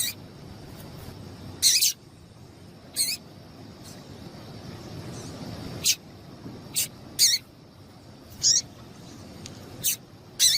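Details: Short, sharp, high chips from a female double-collared seedeater, used to spur a male into song; about eight separate notes spread irregularly over ten seconds, some louder than others, with a low steady hiss behind.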